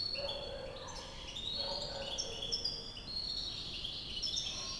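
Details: A white European goldfinch in Climat de France, Algiers, gives a quick, liquid twittering song of high tinkling notes and short trills, with a few lower notes and steady background noise underneath.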